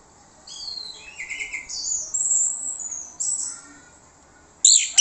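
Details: Orange-headed thrush song used to lure other birds into answering, with descending whistles and buzzy notes running into a long loud high rasp, then a pause and a sudden sharp burst at the end.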